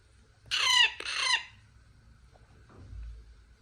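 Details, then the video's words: Young parrot gives a pair of loud, harsh, grating screeches, each under half a second and dropping in pitch, followed by quiet with faint low background hum. "Parrot Chick Talk Screech, Squawk"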